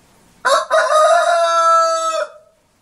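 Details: Rooster crowing: one loud, harmonic-rich cock-a-doodle-doo lasting about two seconds, a short opening note then a long sustained, slightly falling tone that fades out.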